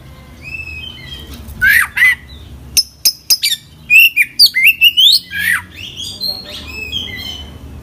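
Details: Oriental magpie-robin in vigorous song packed with inserted phrases. A pair of downslurred whistles is followed by a rapid run of clipped chirps and rising, buzzy sweeps, with quieter trailing notes and a faint room hum.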